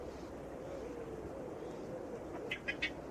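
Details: Black Crake, a bold wetland crake whose contact call is a nasal note repeated rapidly, gives three quick nasal notes in rapid succession near the end, over a steady low background rumble.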